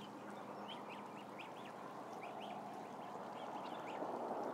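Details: Ducklings in a flock of roughly a thousand give loud arched peeps, several per second, each a quick up-and-down whistle, over a constant broad murmur of the crowd.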